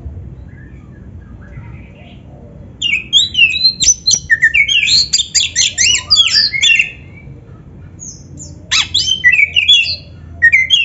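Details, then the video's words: Magpie-robin, locally kacer, in a training recording for beginner or lazy singers; after two quiet seconds a fast jumble of whistled, chattering and squeaky notes pours out, pauses, then resumes with sharp rising whistles. "SUARA BURUNG KACER GACOR MASTERAN"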